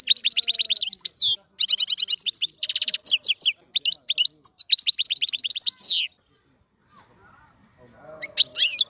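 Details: European goldfinch singing a rapid, high twittering song of varied chirps and dense buzzy trills in bursts for about six seconds, then a quiet pause before a few more sharp notes.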